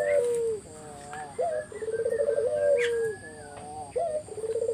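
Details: Lure song of a spotted dove to provoke answering doves: low coos sliding downward, rapid pulsing rolled phrases about four per second, repeated in quick succession, with thin distant whistles underneath.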